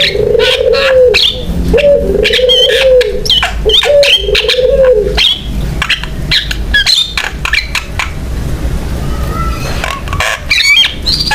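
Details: Javan myna singing vigorously, used as a lure and tutor recording to prompt other mynas to sing; drawn-out low wavering notes at first, then harsh rasping bursts and sharp short whistles in an irregular stream.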